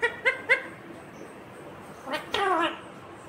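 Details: Pet Indian ringneck parakeet imitating human speech in Hindi, asking mummy for roti. Three short, clear, high voiced syllables open the clip, then a longer rough, strained utterance near the end, with quiet room background between.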